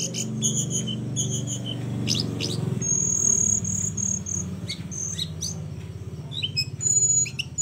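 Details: Flowerpecker singing as a training master for other birds. Bursts of fast high ticks, then a long thin piercing whistle and scattered sharp dropping chips, with a heavy low rumbling background throughout.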